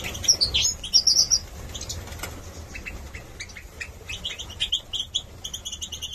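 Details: Caged young Goldfinch Major males, European goldfinch, bred 2022 in Gladbeck, Germany, give thin high chirps and twitters, loudest early, then sparser short notes, with wing flapping and low background hum.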